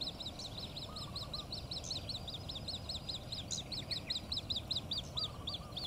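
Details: Australasian grebe chick giving high, thin peeps repeated rapidly and steadily, each note a quick down-up squeak, while a lower rattling trill sounds twice in the background over faint broadband hiss.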